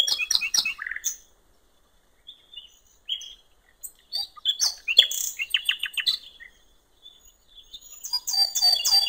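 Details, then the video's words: Common nightingale song beside a river in the countryside: varied phrases broken by silences, with clicking bursts, brief whistles and a quick run of repeated rattling notes, ending in a dense scratchy passage. "canto del ruiseñor"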